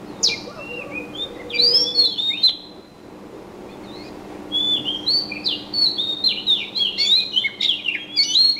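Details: Bird chirping in quick whistled phrases, with a short run of notes, a pause of about two seconds, then a longer tumbling sequence of sliding, high-pitched chirps; low steady hum in the background.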